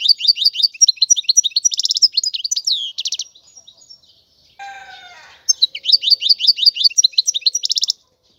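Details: Twittering European goldfinch song with fast repeated high notes and short buzzy rattles in two bursts, broken midway by a brief lower fluttering sound.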